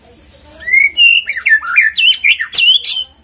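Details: White-rumped shama song played as a lure to trigger singing: rich whistled slurs that swoop up and down, growing denser and higher, with crisp high notes mixed in.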